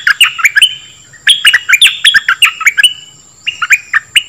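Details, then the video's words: Song of a dok taeng bird used to train young birds and excite them: phrases of sharp, slurred chirps in short irregular groups with brief gaps, over a faint continuous high tone. "เสียงนกดอกแตงEp.2 ใช้หัดลูกนก เปิดให้นกคึก!!"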